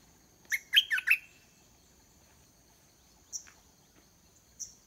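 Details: Caged decoy red-whiskered bulbul singing steadily to lure a wild bird down to fight; one quick four-note warbled phrase, bright and slurred, followed after a pause by two short sharp high chirps.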